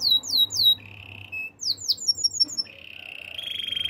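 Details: Canary singing in the wild: high slurred whistles, then a flat, steady trill, a pause, a burst of quick downslurred notes, and finally a rising, strengthening rolled trill.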